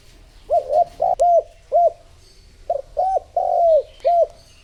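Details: Spotted dove kept as a lure for attracting other doves, giving about eight low, hollow coo notes in two bursts, one note drawn out and falling at the end.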